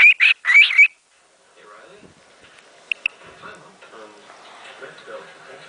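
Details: Pet male cockatiel singing indoors to the camera gives three loud, warbling whistles in quick succession, then a few faint chirps over a soft background murmur.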